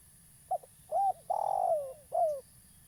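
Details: Spotted dove, local type, a keen caller used as a trapping lure, delivers one cooing phrase: short note, arched coo, long downward-sliding coo, and a final descending coo, with low hum beneath.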